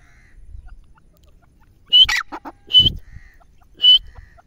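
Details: Grey francolin calling: three clear, level whistled notes spaced about a second apart, with a few harsher lower notes between them, over a faint low rumble.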